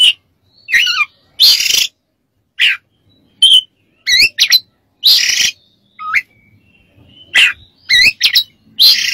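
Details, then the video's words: Oriental magpie-robin (kacer) song used as a master recording for training other birds: loud separate bursts of harsh buzzy notes and clear whistled upslurs and downslurs, spaced with short silences. "MASTERAN KACER DAN TERAPI"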